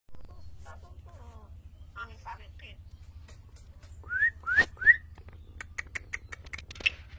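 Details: An Asian pied starling learning to talk. Quiet scratchy chatter comes first, then three loud rising whistled slurs in quick succession, followed by a run of sharp clicking notes and a final squeaky phrase. A low hum runs underneath.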